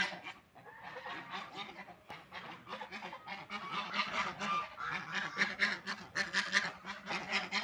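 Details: Ducks eating food and drinking water, starting quietly and then building into a dense run of quick, raspy, honking calls.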